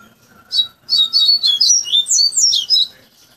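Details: Caged Double-collared Seedeater (coleiro), trained from a chick over three to five months by tutoring into a fluted coleiro baiano song; a loud, rapid run of clear whistled notes, sliding up and down, delivered in quick succession.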